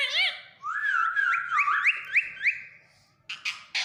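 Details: Indian ringneck parakeet, a pet talking parrot mimicking speech in Urdu/Hindi with phrases like "Mian Mithu": a short wavering note, then a long nasal, voice-like harmonic phrase with quick upward sweeps, ending in a few harsh noisy bursts.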